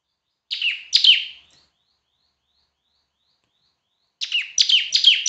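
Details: Loud, semi-active singing of a bar-winged prinia, recorded for tutoring other birds. Two sharp downslurred chirps open, followed by about three seconds of silence and a fresh quick series of falling notes.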